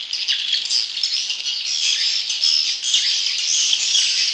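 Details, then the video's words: Many swiftlets calling inside a swiftlet house, a continuous high-pitched wall of squeaky twittering and buzzy chirps from overlapping birds, steady throughout with no other sounds. "suara burung walet dalam kandang"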